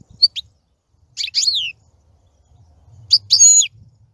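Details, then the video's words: European goldfinch song in three short bursts of high, twittering, liquid notes with sliding whistles, separated by pauses, over a faint low hum. "Красивое пение щегла. Singing goldfinch. آواز خواندن فنچ"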